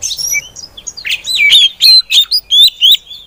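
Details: Oriental magpie-robin female singing to prompt other magpie-robins into song: a soft, scratchy start, then a series of loud, clear whistled notes, each a short bent slur, delivered in an even, quick sequence.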